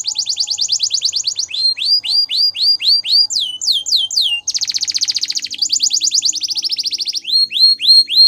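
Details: Gloster canary singing a training song: rapid repeated rising and falling whistled notes in fast rolling series, a dense buzzy trill midway, and clear looping notes to finish.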